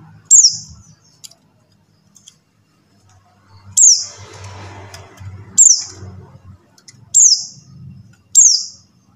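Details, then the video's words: Call of a pleci buxtoni white-eye, used to draw silent white-eyes into singing: five sharp, high, falling notes, the later ones repeated every second or so, with a low rumbling background between. "suara CALL PLECI BUXTONI | untuk pancingan PLECI MACET BUNYI"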